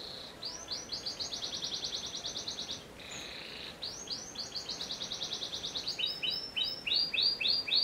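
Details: Song of a panda canary without bars: two long runs of quick, evenly repeated chirping notes separated by a short buzzy pause, ending with slower, louder rhythmic phrases.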